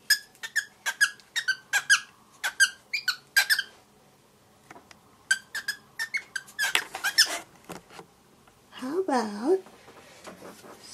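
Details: A seven-month-old aviary-raised grey cockatiel attempts speech for the first time: a rapid series of short, squeaky chirps, with its owner's voice briefly near the end.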